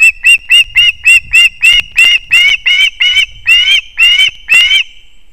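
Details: Osprey chicks at a nest in an old leaning pine in Kurzeme, Latvia, on 20 September 2024, around the father's near-last fish delivery, give a steady series of loud, high, slightly rising whistled yelps, two or three per second, growing harsher and longer.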